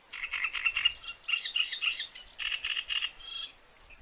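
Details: Great reed warbler singing harsh, grating, croaking phrases: bursts of repeated rasping notes alternating with squeakier segments, steady without pause over four seconds, with faint low rumble beneath.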